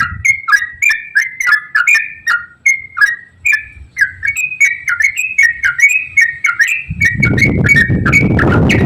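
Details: Continuous gacor ropel song of a yellow-vented bulbul, used to get other bulbuls singing: steady chains of rising-and-falling slurred whistles, about three per second, with loud broadband noise entering in the last two seconds.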